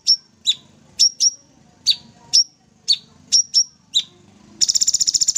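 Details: Sooty-headed bulbul in a Banyuwangi aviary, singing actively with bursts: sharp, high chirps that dip in pitch, about nine spaced roughly half a second apart, then a fast buzzy rattling trill at the end; faint low murmur behind.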